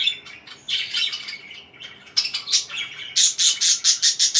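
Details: Parakeet chirping: warbling chatter that ends in a fast series of loud, sharp, evenly spaced chirps, about five per second.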